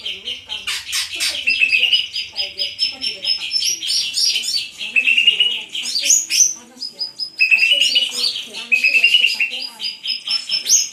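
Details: A greater green leafbird, said to be 'on fire', sings long continuous song. It mixes rapid twittering, high piping notes and several rising whistled runs, with loudness swelling and dipping throughout.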